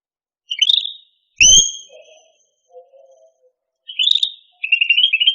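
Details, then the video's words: Cucak rante: short sharp chip notes and high clear whistles, a brief low thump, faint lower murmuring tones, then a rising chip and a fast rattling chatter of repeated notes at the end. "SUARA BURUNG CUCAK RANTE- CUCAK RANTING"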